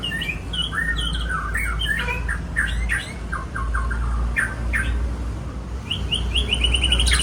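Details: Song of an Aceh white-rumped shama: rapid series of clipped whistled notes and chattering trills in varied bursts, ending in a rising run of high notes, with a persistent low hum beneath.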